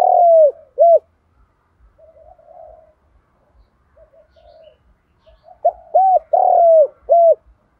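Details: Spotted dove giving a complete cooing song in full-song voice style, meant to set other doves cooing; two clear coos open, faint distant murmuring coos follow, then a loud run of four hooting notes ending the phrase.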